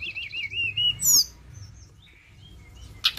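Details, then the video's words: Flowerpecker lure song, opening with a wavering, trilled whistle that rolls up and down, then a sharp high sweep, a brief pause, and scattered thin high notes ending in a short loud tick. "Pancingan Ampuh BURUNG TLEDEKAN"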